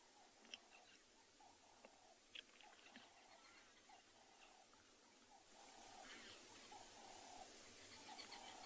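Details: A flock of red-billed buffalo weavers twitters in a tree near a dam and waterhole at a South African game reserve on a clear, calm July afternoon near sunset: steady, busy chatter of short mid-pitched notes, about four a second, over faint hiss.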